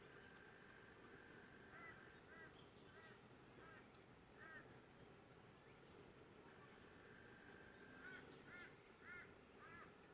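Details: A galah at Neurum Park, Queensland, in October 2024 gives short, harsh screeches in two bursts, roughly two per second, over a steady low rumble and hiss.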